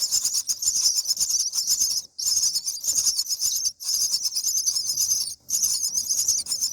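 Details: Common myna nestlings, day 7 in the nest during parental feeding, keep up harsh, hissing rasps in long bursts, breaking off briefly about every one and a half seconds, with no other clear sounds.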